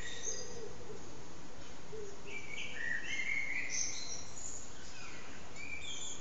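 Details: At sunset a common blackbird delivers its evening song, recorded with an HTC Desire phone: a mid-clip burst of warbling, fluty notes sliding between pitches with thin squeaky flourishes, over a steady noisy background.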